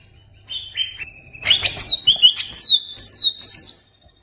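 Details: Greater green leafbird song used as a lure to prompt a kept bird to sing: after a soft whistled opening, a burst of loud, bright, sharply falling slurred whistles follows in quick varied phrases, then it ends abruptly.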